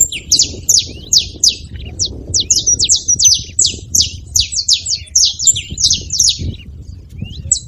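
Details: High, sharp chirping from saffron finches at a feeding station, fast and irregular, with notes sometimes overlapping; faint low background rumble.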